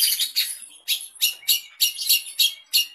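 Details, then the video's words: Long-tailed shrike (cendet) song played as a lure so that other shrikes respond and sing: harsh, scratchy, broadband bursts repeated roughly three times a second, with a thin whistled thread linking some notes and no background sound. "Cendet Manapun Pasti Ikut Nyaut Dan Gacor,Masteran Cendet stres pasti ikut bunyi"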